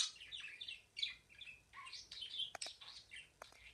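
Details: Dense chattering warble from a pet budgerigar, fast overlapping chirps and buzzy notes with several sharp clicks, heard against a faint hiss.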